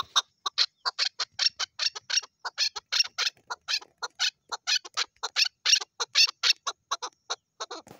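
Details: Female chukar partridge calling in a fast, steady series of short, sharp clucking notes, roughly three or four a second, bright and raspy across the upper range, with no other clear sounds.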